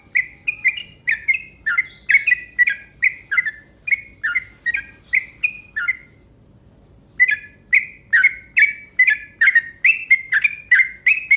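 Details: Yellow-vented bulbul lure call in two long bursts of quick, gurgling chirps, roughly two per second, split by a silent gap of about a second.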